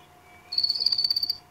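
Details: Black cuckoo-shrike call played from a phone app during a sunset safari broadcast in Sabi Sand, South Africa, on 6 February 2016: a high, thin, buzzy trill held for under a second, like a cricket's reel, over a faint hum.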